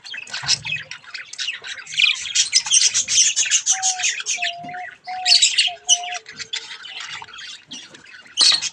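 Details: Playing at a mirror, colourful baby budgies keep up dense, rapid scratchy chattering with louder squawk bursts, while a few short steady mid-pitched tones sound in the middle.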